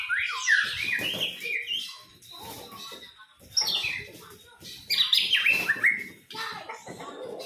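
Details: Young white-rumped shama giving loud, bright whistled phrases with sharp rising and falling sweeps in three bursts about two seconds apart, with softer chattering between them and faint background noise.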